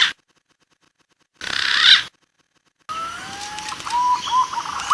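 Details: A large green pigeon (punai) gives long, mellow whistles that slide up, then wavering notes, after two short bursts of hiss separated by silence; the recording is used as a lure call.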